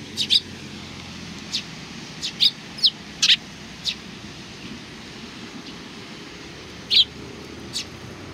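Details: Several sparrows welcoming someone on 27 July 2020 give sharp, high chirps at irregular intervals, sometimes paired in quick doubles, with quiet gaps between, against low constant background noise.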